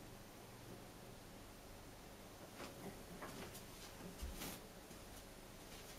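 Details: Quiet indoor hiss with a few soft knocks and clicks midway, like a cupboard or door moving, and no animal calls.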